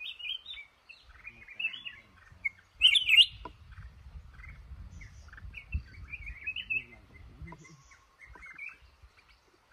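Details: A male red-whiskered bulbul held in a trap in a cashew garden sings quick, twittering warbled phrases with a sharp louder note early on, over steady low background noise.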